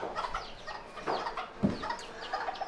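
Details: Farm chickens, a rooster, a hen and their two chicks, give soft, low clucks alongside the chicks' thin, falling peeps, in short bursts over a couple of seconds, with faint background noise.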